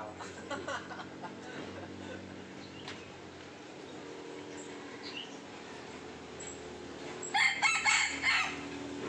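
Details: Red junglefowl in Sumatra during traditional luring of young wild junglefowl with a decoy bird. After quiet rustling and faint noises, a short, harsh, choppy crow bursts out near the end.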